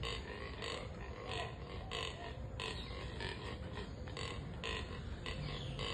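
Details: Neotropic cormorants in breeding season giving rough, pig-like oinking grunts, repeated about every half second over a steady low rumble of background noise.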